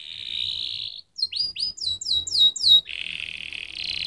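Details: Song of a canary: a sustained buzzy note, a series of crisp descending whistles gaining in loudness, then a steady high buzz.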